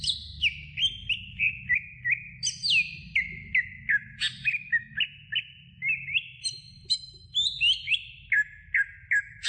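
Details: Greater green leafbird in a training recording for other songbirds gives a long sequence of short, clear whistled notes, mostly falling, spaced about twice a second, with occasional higher double-pitched phrases.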